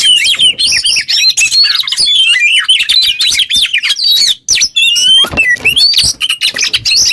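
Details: Kept Oriental magpie-robin in full song, used as a training model for other songbirds: a dense, fast stream of varied chirps, slurred whistles and rapid trills, nearly continuous with only brief pauses.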